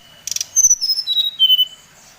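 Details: Brown-chested jungle flycatcher song used as a lure to provoke other birds: after a brief buzzy burst, a series of clear whistled notes descends stepwise from high to lower pitch.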